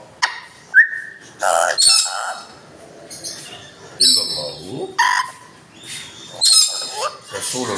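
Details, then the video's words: Talking Amazon parrot reciting the kalma, the Islamic declaration of faith, in short speech-like phrases mixed with a clear whistled note, squawky bursts and chirps, separated by pauses. "Talking Amazon Parrot کلمہ پڑھنے والا ایمزان طوطا"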